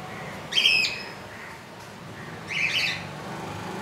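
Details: Newly hatched baby budgerigar, about an inch long, in its nest on its second day after hatching on 15 July 2018 at 2 AM. It gives two short, raspy, high chirps about two seconds apart over a quiet indoor background.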